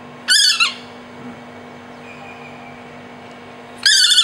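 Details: A rescued juvenile Large hawk-cuckoo, found on the ground after apparently hitting a wall or window, gives two loud, harsh, high screeching calls about 3.5 s apart, over a faint hum, Prince of Songkla University, Pattani, Thailand.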